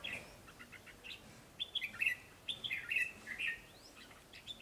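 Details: Newly caught wild red-whiskered bulbul singing eagerly. Brisk chirped and whistled notes, some sliding upward, come in quick bursts of phrases over faint background hiss.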